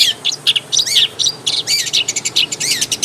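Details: Long-tailed shrike singing in its natural habitat: varied, rapid high chirps and twittering notes, some upslurred and downslurred, delivered in an irregular run of short phrases.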